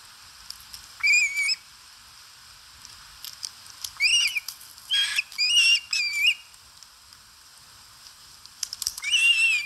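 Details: Osprey eating at a nest in Satakunta, Finland, filmed by a live nest camera on 4 August 2022: sharp, upward-bending whistled yelps, given singly and in short runs of two to three, with quiet pauses between.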